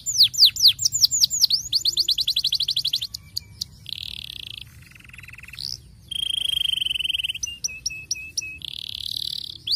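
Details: Canary song used to stimulate young canaries to sing: fast trills of sweeping whistled notes, then buzzy rolls, steady pure whistled tones, a series of clipped repeated notes and a final buzzy roll.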